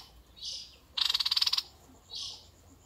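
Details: Red-eyed bulbul, described as a decoy bird: a soft breathy note, then a quick burst of about a dozen rapid, chattering, buzzy pulses, then another soft note. Faint steady hum underneath.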